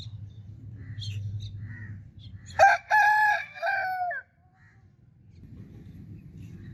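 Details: A rooster gives one full crow, a harsh stuttering start breaking into a sustained harmonic note that falls away near the end, set against a steady low rumble before and after.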